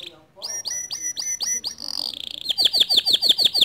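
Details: Male white canary with a long standard song: a run of sliding whistled notes, a buzzy rolled passage, then a rapid series of sharp downswept chips.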